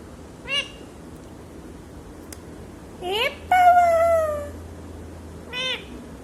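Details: Talking parrot giving short rising squawks and one drawn-out falling tonal note with rich harmonics, separated by pauses, with a low hum behind.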